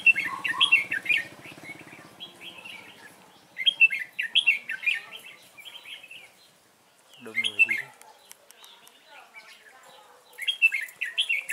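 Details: Caged decoy red-whiskered bulbul singing to draw in wild rivals during trapping, 12 November 2017: repeated quick warbling phrases of bright slurred whistles, roughly every three seconds, with a brief human voice in the middle.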